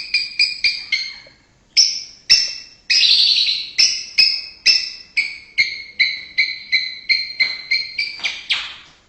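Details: White-rumped shama from Indonesia in full song, opening with quick clipped notes, then a brief harsh buzzy burst followed by a long series of bright, repeated two-pitched whistled notes that quicken toward the end.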